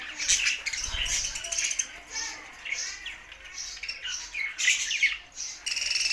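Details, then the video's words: Budgies singing, a dense, continuous chatter of squeaks, warbles and clicks with slurred rising and falling notes, and fluttering heard early on. "Budgies Sounds for Lonely Happy singing"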